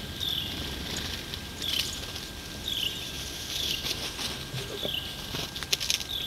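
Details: Red-winged blackbird on the Maurice River giving a thin, high, down-slurred call about once a second over a steady hiss and a few soft rustles.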